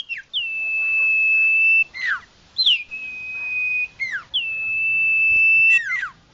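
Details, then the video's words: Common iora call used as a lure for wild birds: repeated long, even, high whistles, each closed by a steep double downslur, with short pauses in between. "Suara pikat burung Sirtu/Cipoh Suara jernih mantap"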